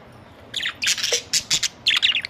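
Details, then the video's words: Budgerigars on a hot summer day, about 50 degrees, in loud, busy, high-pitched chattering with rapid squeaky chirps and warbles in quick bursts. "My budgies Is Very Hot 🔥 Today summer 🌞 50c"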